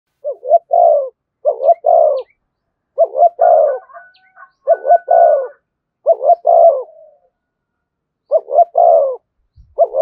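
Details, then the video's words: Spotted dove cooing in the thổ voice style with thúc and kèm phrasing: low hollow coo phrases of a quick double note and a longer drawn note, repeated about five times, with a faint thin whistle midway. "tiếng cu gáy giọng thổ thúc và kèm hay nhất"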